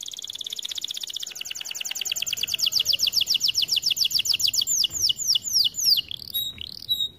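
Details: Canary singing in a training recording: a continuous fast trill that gradually slows into distinct looping down-slurred notes, ending with a few sharp short whistles.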